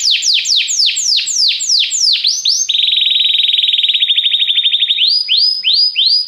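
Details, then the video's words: Training song meant to get a canary singing immediately: a series of loud descending swept whistles, then a long mid-pitched rapid trill, ending with repeated upward-hooked notes. "Este canto canário inspira o apetite do seu canário para cantar imediatamente"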